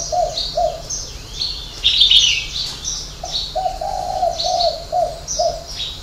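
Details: Spotted dove in Ba Vì, Hanoi, singing the prized six-note song with a three-note ending. Two coos are followed by a smoother run of mellow notes, over bright chirps and twitters from other birds.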